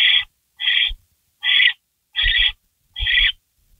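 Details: Barn owl nest before dawn, 16 May 2012, as a rabbit arrives; five even, drawn-out hissing snores in a row, each under half a second, with soft low thumps.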